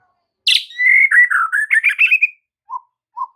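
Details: White-rumped shama master song for training caged birds: a loud high burst, then a run of slurred whistled notes wavering downward and back up, followed by two soft low single notes.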